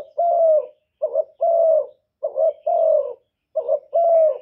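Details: Spotted dove, a kept decoy bird, cooing to lure and stir other doves, recorded clean without background noise: low mellow coos, each a short double note followed by a longer steady hoot, repeated about every 1.3 seconds.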